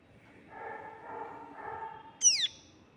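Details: Young pale-billed flowerpecker giving a single high, thin begging squeak that slides steeply downward near the end, after a stretch of low muffled background hum.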